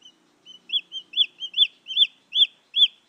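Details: Young junglefowl calling, recorded to attract wild females; soft high cheeps build into louder arched peeps, about nine notes in quick succession, with a low faint murmur early on.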